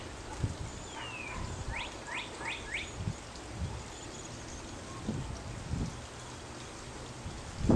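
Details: Chickadee chick being fed by a parent, a chick that also shared its nest with a cowbird: one falling whistle, then four quick rising chirps, with low rumble and a few rustling knocks.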